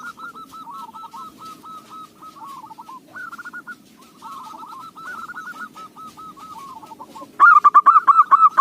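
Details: Local zebra dove whose song fits use as a lure: a running series of soft, quick cooing trills with brief gaps, ending in a sudden loud volley of rapid, closely spaced coos.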